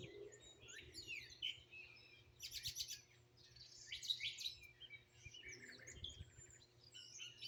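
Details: Outdoor bird chorus in Greenville, South Carolina, phone-recorded: sweeping whistles and buzzy rattled bursts around three and four seconds, many overlapping chirps, low hum throughout.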